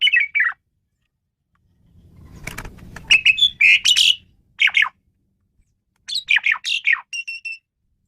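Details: Raspy squawks and bright whistled notes from an Asian pied starling in uneven bursts, including a sustained level whistle near the end, with a brief low rumble.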